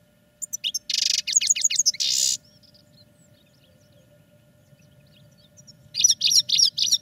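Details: Caged European goldfinches singing for training: clipped chirps lead into harsh, rattling buzzy phrases, a few seconds of near silence, then bright twittering starts again.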